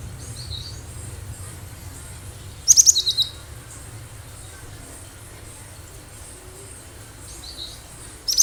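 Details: Wild cinereous tit (gelatik batu) singing vigorously, a recording meant as a lure to draw other birds. Two short bursts of high, sharp repeated notes break a quiet background, the second cut off at the end.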